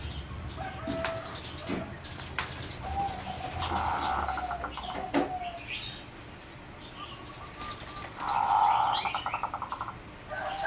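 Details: Bred competition singing zebra doves in a flight cage, 30 April 2014: drawn-out tonal notes and short rolling bursts from several birds, with clicks, wing flutters and background noise.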